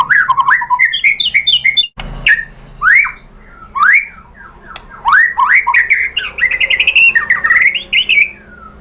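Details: White-rumped shama song meant to draw replies from other birds: swooping, upslurred whistles and warbled phrases with a short pause, ending in a rapid rising series of bright notes.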